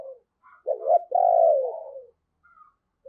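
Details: Deep-voiced decoy spotted dove of the 'thunder' style, used to draw in wild birds, gives a stuttered coo leading into one loud, sustained, slowly falling coo.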